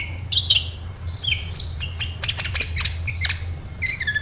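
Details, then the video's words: High-pitched twittering of a sunbird, the kolibri ninja, used to lure other birds: sharp clicks and thin whistles in irregular runs, ending with short downslurred notes, steady low hum underneath. "SEMUA Burung KOLIBRI CUEK LANGSUNG RESPON DAN GACOR Dengan PANCINGAN INI!KOLIBRI NINJA GACOR"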